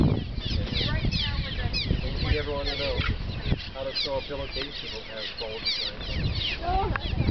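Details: Cliff swallows in Sierra Valley on 19 June 2011: dense, continuous twittering of many overlapping squeaky chirps, with low voice-like tones breaking through now and then.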